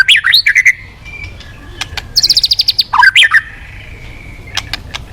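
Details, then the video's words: White-rumped shama in full, energetic song, used as a lure to make other birds sing: varied rising and falling whistles, then a fast run of sharp repeated high notes, a rich warbled phrase and a long thin whistle, with scattered clicks. "Pancingan Burung murai Crpat gacor"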